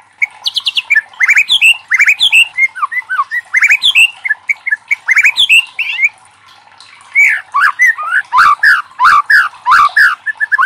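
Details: White-rumped shama in full, loud song used to spur other shamas into singing: varied rich whistled phrases, slurs and sharp chips tumbling together continuously, growing denser toward the end.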